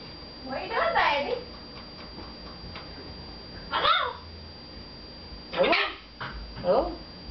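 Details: Indoor pet red-fronted macaw talking to its owners, giving several separate raspy, voice-like utterances with sliding tones, a few seconds apart, over low room hum.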